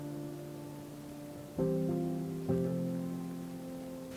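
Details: Quiet sustained guitar chords, two fresh strums ringing out over a soft background, with no animal sounds.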